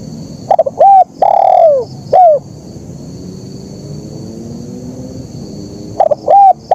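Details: Zebra dove in kuk 1 style: a phrase of a stuttered note, short coos and one long downward-sliding coo, then a gap of about three seconds before the next phrase begins; a high insect drone runs underneath.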